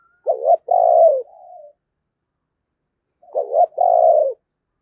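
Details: Spotted dove decoy bird cooing in the 'thổ' voice style. Two deep, raspy phrases, each a quick two-note stutter then a sustained purring note that tails off softly, separated by roughly two seconds of quiet.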